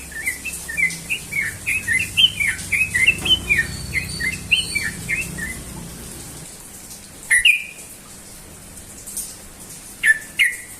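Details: Indonesian Sooty-headed bulbul delivering 'ropel' song in the morning: a fast, rolling burst of bright chirps and slurred whistles for about six seconds, then a quiet pause broken by two further sharp notes.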